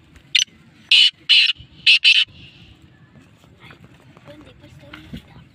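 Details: Black francolin, possibly a female, heard after rain: five harsh, grating notes in a quick series over two seconds, then silence, with faint background rustle following.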